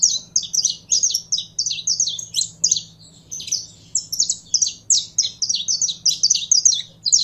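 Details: Caged saffron finch warmed up and singing: a continuous, fast, rhythmic series of high, sharp chirped notes with barely a pause, and a faint low hum in the background.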